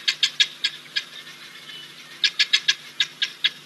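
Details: Wahlberg's eagle at Ol Donyo, 29 October 2023, gives two bursts of short, sharp, high yelping notes, five or six quick notes each, separated by a brief pause.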